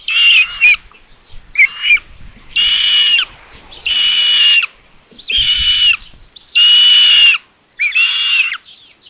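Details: Common buzzards on a solar-powered nest cam in Tiszalök, Hungary, midday May 27, during feeding of the third chick. Loud, squealing, flat-pitched mewing calls follow one another almost every second, some short and clipped, others longer and steady.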